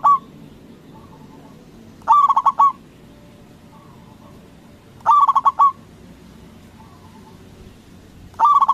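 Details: Loud local zebra dove, Indonesia, singing to provoke other doves to reply; rapid rolling coo phrases repeat roughly every three seconds, each five quick pulses and a held ending, with soft faint coos in between.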